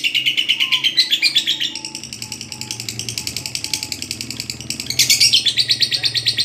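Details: Lovebird ngekek panjang chatter for masteran: rapid rattling high pulses that soften in the middle and surge louder again near the end, with faint low hum and a few soft tones behind.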